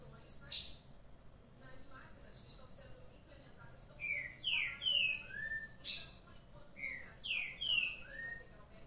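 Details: Green-winged saltator kept caged, waking up excited, sings two bursts of rich slurred whistles, each of about four notes ending in a lower drawn whistle, with scattered chips before and a low hum behind.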